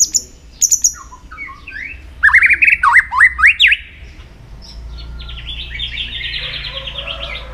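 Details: Shama training song for contests: a few high sharp notes, a burst of loud rising whistled phrases around three seconds, then a softer buzzy rattling series of repeated notes.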